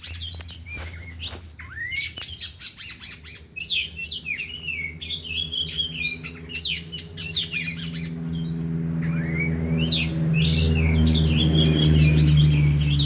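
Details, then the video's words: Oriental magpie-robins, four birds, training in the afternoon with their isian: choppy chattering phrases and harsh squawky notes, repeated rapidly, fading later under a loud low droning hum. "Latihan Kacer di Sore Hari Biarpun Hanya Burung 4 Tapi Jalan Semua dan Bongkar Isian"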